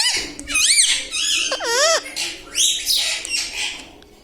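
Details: Pet parrot indoors talking, said to repeat Hindi words like mithu and mummy papa. It gives wavering whistled and squawky phrases with looping up-and-down pitch bends over a steady low hum.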